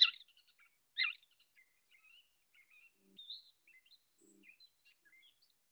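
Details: A western Gray Catbird from near the western edge of its range sings a jumbled run of mimicry, opening with a loud burry western wood-pewee phrase, then squeaky, whistled snippets including bushtit double notes; a faint low murmur twice.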